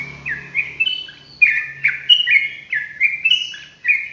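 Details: Sooty-headed bulbul giving gacor ropelan song, repeated bubbly whistled phrases of falling and rising slurs, about three per second, clear and close with little background.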